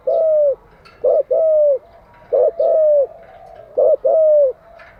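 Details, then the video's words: Decoy spotted dove cooing, kept for training other doves: three loud phrases in five seconds, each a short hooting note followed by a longer, steady, low coo, with quiet pauses between. "Tiếng chim cu gáy mới nhất, dùng luyện chim gáy bổi và mồi hàng ngày"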